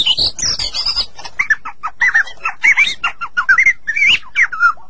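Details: Master song of a white-rumped shama for prompting caged shamas to sing: high rising whistles, then a chattering series of short looping notes.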